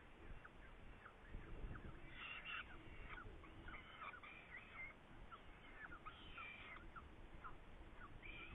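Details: Saker falcon in Hungary on 8 May 2019, prey present: scattered rasping screams and brief chattering notes of varying length, fairly quiet, over low background rumble.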